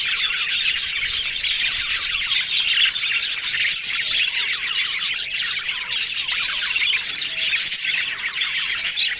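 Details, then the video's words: A group of yellow budgerigars warbles continuously, their twittering chirps layered and overlapping, with frequent dry scratching clicks throughout. "Yellow Budgies Talking Sounds Happy"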